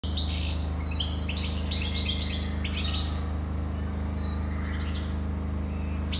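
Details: European goldfinch singing a rapid, tinkling twitter of high, bright notes for about three seconds, then fading to a few scattered soft notes, over a steady low electrical hum.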